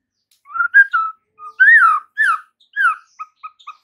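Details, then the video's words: White-rumped shama master song for training caged birds: mellow, fluty slurred whistles rising and falling, ending in a string of short soft notes. "MASTERAN Murai Batu"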